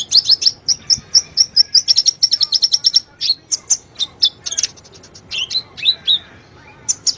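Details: Lively sunbird song meant to prompt a silent bird to sing: a rapid, regular series of high sharp chips, then varied twisting whistles and scattered chirps.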